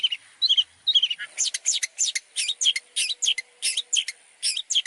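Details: Long-tailed shrike training song full of mimicked sounds. Soft warbled notes open it, then harsh chattering phrases come at a quick, uneven pace.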